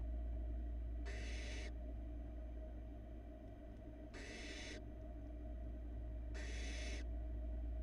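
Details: Barn owl nestling, the youngest in a Florida nest-box camera brood, swallowing a large rat; three harsh, broadband hissing screeches, each lasting about half a second, come roughly every three seconds over a steady low electrical hum.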